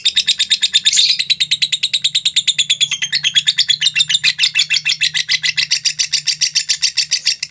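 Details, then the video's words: Long nonstop ngekek from a lovebird, used as a prompting and tutoring recording: a rapid, chattering rattle of high notes, harsher burst near the start, then an even stream, over a steady low hum. "LOVE BIRD NGEKEK PANJANG 2 MENIT TANPA JEDA"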